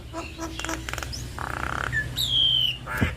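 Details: Male and female Javan mynas duetting in full voice: a few harsh squawks, a short buzzy rasp and a long falling whistle, with a steady low hum throughout.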